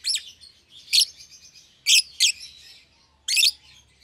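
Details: Young lovebird pair, an albino with red eyes and a euwing green opaline, kept together in a cage for one pair: loud shrill chirps at irregular intervals, one quick doubled burst, faint twittering between calls.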